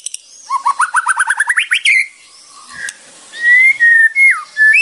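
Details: White-rumped shama song for training: an accelerating, rising series of short whistled notes, a pause, then long clear whistles sliding down and back up.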